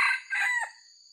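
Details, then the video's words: Crow of a wild red junglefowl with white legs, recorded for luring: a brief, harsh, broken crow of two bursts lasting under a second, ending in a fading tail, over a steady high electronic whine. "MIKAT AYAM HUTAN ORI KAKI PUTIH IDAMAN PARA PEMIKAT"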